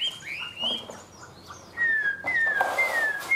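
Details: Caged tame Chinese hwamei giving clear whistled notes, a wavering phrase followed by long, pure descending slurs, with a short burst of rustling noise in between.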